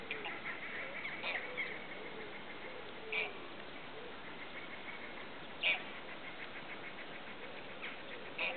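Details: Eurasian oystercatcher (Haematopus ostralegus), one of a breeding pair with three chicks on the rushy lake at Slimbridge Wetland Centre, Gloucestershire, gives sharp, piercing kleep calls a few seconds apart over chattering birds and murmur.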